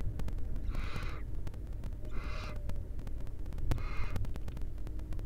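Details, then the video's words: Wild barn owl nestlings in a nest in Israel, the seventh having just hatched, give three harsh hissing rasps roughly every one and a half seconds over loud low rumbling background noise. "Live Barn Owl Israel Cam"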